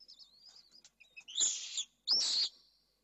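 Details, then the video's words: Pallid swift on camera, 4 June 2022: soft, thin, wavering high trills, then two loud, harsh, drawn-out screams about half a second apart, the second fading into a thin buzzy tail. "Vencejo pálido(pale swift)"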